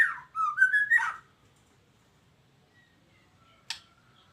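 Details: Captive-bred white-rumped shama (murai batu Medan), eight months old; a short burst of rich whistled notes lasting about a second, level then slightly rising, followed by quiet and one sharp click near the end.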